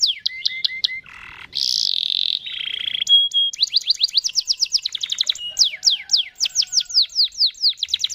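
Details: Lively canary singing a long rolling song meant to lure other canaries into singing: clipped downslurred whistles, a harsh buzzy note, a bright sustained buzz, then many rapid sweeping notes repeated in a steady fast trill.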